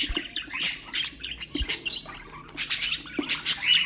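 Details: Pet budgerigars chattering, played to stimulate other birds: dense, scratchy high squawks and clicks in irregular bursts, a brief pause near two seconds, then renewed rapid twittering.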